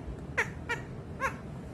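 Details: Young pet parrot wooing its owner's foot in early partner-selection behaviour, giving three brief nasal squeaky cries spaced about a third of a second apart, with faint indoor background hum.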